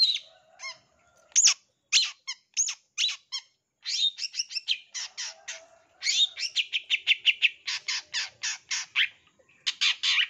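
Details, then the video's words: Long-tailed shrike in full song, used to lure and train other birds: scattered sharp chirps and a whistled note, then long fast runs of repeated high clicking, ticking notes in rapid rattling series. "SUARA CENDET GACOR DOR ISTIMEWA NAGEN FULL ISIAN TEMBAKAN"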